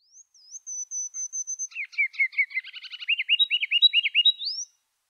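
Ruby-crowned Kinglet song: a few thin, very high notes, then a rapid chatter of lower notes building into loud, bouncy, rolling phrases, all in under five seconds.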